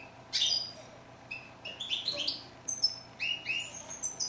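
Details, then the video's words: A European goldfinch sings spaced, bright upslurred chirps and short tinkling notes, loosely strung together with brief pauses between them. "Song of bird goldfinch"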